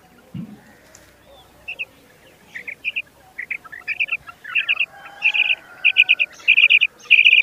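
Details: Common quail starting with scattered quiet notes, then settling into loud, crisp three-pulse calls repeated steadily every half second or so, swelling in strength to the close.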